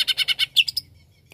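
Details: Greater green leafbird song used to rile up other leafbirds: five rapid, harsh chattering notes, then a bright, sharp whistle and two shorter high chips. Quiet afterwards.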